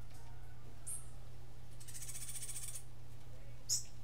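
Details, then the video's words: Martillito-style song of a Cuban grassquit: a thin high note, a buzzy, rapidly pulsed trill lasting under a second, then a sharp high chip near the end, with a constant low hum behind. "Tomeguin de la tierra Cantando UNICO (Estilo Martillito)"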